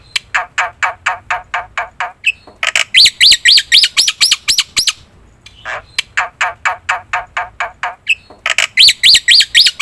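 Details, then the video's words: Black-winged myna, locally jalak putih, lure song: long runs of rapid harsh chattering notes alternating with bursts of bright rising whistles, with short pauses between runs. "suara top jalak putih gacor - sekali putar bikin bunyi semua burung - masteran - pancingan"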